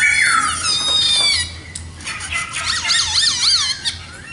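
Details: Black laughingthrush (khướu mun) singing, opening with a rising whistle, then sustained high tones and rapid warbling wavering notes, siren-like in quality.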